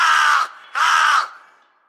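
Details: Crow giving two harsh, hoarse caws, each about half a second long, separated by a short pause, with the second call trailing off into quiet.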